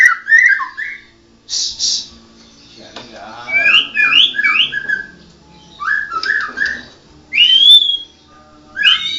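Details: Medan-type white-rumped shama called blorok sings scattered phrases of warbled whistles, short rising notes in threes and buzzy bursts, separated by quiet gaps.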